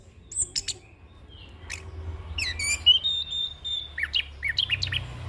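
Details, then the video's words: Young orange-headed thrush in rolling, fully filled-in song, played to train and lure birds; sparse high whistles and sweeping notes, a held tone near three seconds, then a lively cluster of chirps. "Anis Kembang Ngeroll Full isian - Masteran dan Pancingan Burung Anis Kembang Muda"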